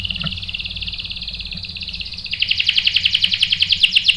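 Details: Canary singing in reply to a female used as bait: a steady, softer buzzy trill runs for two seconds, then swells into a louder, faster rolling chatter of clipped notes.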